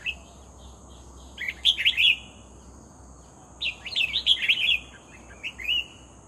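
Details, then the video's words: Red-whiskered bulbul being lured, singing actively: two loud, rollicking phrases of fast, chattering whistled notes separated by a pause, then a brief final note. A constant thin high drone runs behind. "MERBAH JAMBUL GACOR"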